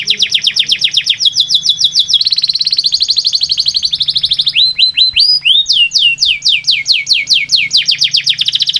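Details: Canary singing to draw inactive canaries into song: quick high trills, then a smooth buzzy roll, then swooping whistled phrases that build into fast repeated rising notes.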